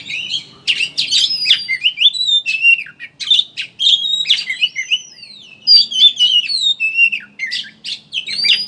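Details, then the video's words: Chattering oriental magpie-robin song serving as a lure to get birds singing: lively bursts of clear rising and falling whistles mixed with scratchy chips, delivered in quick, irregular phrases separated by brief gaps. "Suara Burung Pancingan Kacer Ngeriwik Agar Ngeplong Buka Paruh"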